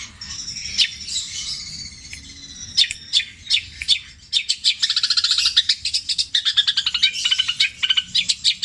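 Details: Captive Javan long-tailed shrike giving mimicry material called tengkek buto, kuntilanak and greja in petir style: scattered sharp high chips and short whistles, building into dense rapid trills and chattering bursts over a low background hum.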